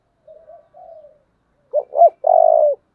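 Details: Coo of a spotted dove with a powerful 'thổ' style voice, held up as a standard decoy for luring: two gentle wavering low notes, a pause, then two abrupt rising-falling notes leading into a long, loud, rolled coo.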